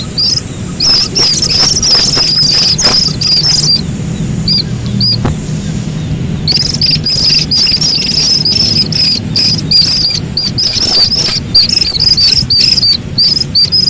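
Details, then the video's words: High, thin peeping from a Slaty-legged crake chick in dense, rapid sequences, a brief pause midway with a few isolated notes, then steady peeping again, with clicks over a soft low hum. "Suara anak Burung Sintar MP3 || Slaty-Legged crake"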